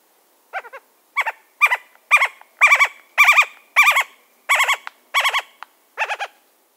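Western Screech-Owl giving harsh, agitated barking notes in short bursts of two to four, about every half second, with sharp clicks of bill clapping.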